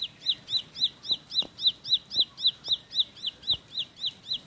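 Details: Bar-winged prinia singing a fast, even run of high, sharp chirps, nearly four a second, with a few faint knocks underneath.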